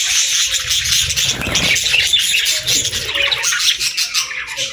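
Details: Parakeets chirping in the morning with a dense wash of high twitters and scratchy notes, plus a soft fluttering sound around the middle.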